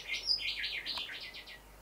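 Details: A male Rufous whistler, seasonally drawn to reflective house windows, delivers a short burst of rapid, slurred high notes that waver up and down and fade at the end.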